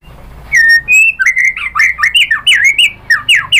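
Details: Lure song of a White-rumped shama for prompting other shamas to sing, opening with two long clear whistles, then a quick run of looping, up-and-down whistled phrases.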